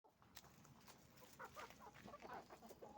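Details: Roosters and hens on a chicken farm, a flock calling together: dense, overlapping short clucks and squawks tumbling over one another with no steady rhythm, over a constant low farmyard hum.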